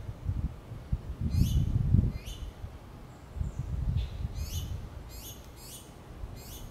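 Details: Baby finches asking their mother for food as she feeds them, giving bright, thin, downward-sweeping chirps, a couple early and then a quick cluster of five or six, with low thumping and rustling beneath.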